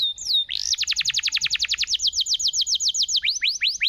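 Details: Canary song intended to trigger singing in quiet canaries: a brief high whistle, then a long fast trill of sweeping notes that slows into spaced rising notes.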